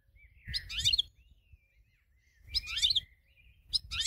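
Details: Caged goldfinch kept as a prize-winning singer and used to train other birds, giving bursts of rapid twittering and buzzy notes about every two seconds, with thin drawn-out whistles between bursts.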